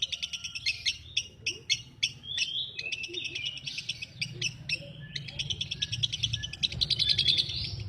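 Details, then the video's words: Lovebird giving a long, rapid, shrill chatter of clicking and squeaky notes, several per second. The notes merge into a dense buzzy twitter toward the end, over a low hum. "Love bird"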